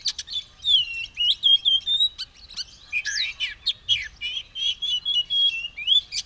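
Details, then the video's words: Tail open and ready to fight, an Oriental magpie-robin pours out a continuous song of high whistles and fast ticking notes with short swooping phrases. "Burung kacer siap tarung buka ekor gacor"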